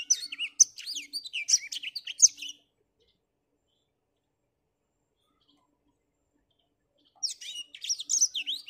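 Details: Black-throated finch kept as a cage bird, singing melodiously despite a cloudy morning: two bursts of rapid high chirps and slurred whistles, separated by about four seconds of silence, over a faint low hum.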